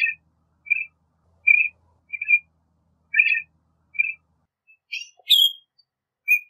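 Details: Northern Shrike singing: a series of short whistled and chirpy notes near the same pitch, repeated about every 0.7 seconds, followed by a burst of sharper, higher chattering notes.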